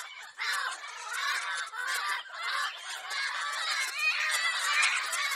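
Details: Screeching lorikeets in a sound recording made to entertain pet parrots: a continuous wall of shrill, grating screeches from many birds, rising and falling in waves without a pause.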